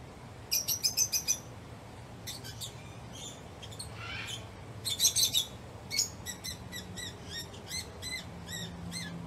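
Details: Lovebird chattering with bursts of rapid high chirps and squeaky, ringing notes repeated about three per second, over a constant low rumble and hiss.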